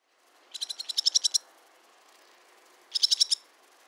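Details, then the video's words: Barn swallow chatter call: a quick run of about ten high, clipped notes that grow louder, a pause, then a shorter burst of five notes, over a steady low background hiss. "How to attract Barn Swallow ? | Voice & Sounds | Chatter call"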